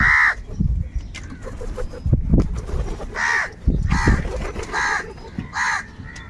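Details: Crow giving a series of harsh, raspy caws, about six spaced unevenly over several seconds, with low thumping and rumbling noise between calls.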